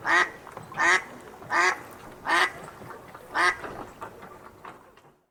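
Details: Ducks outside an aviary in the early morning, feeding: a steady run of five loud, rasping quacks about three-quarters of a second apart, trailing into softer calls before fading out.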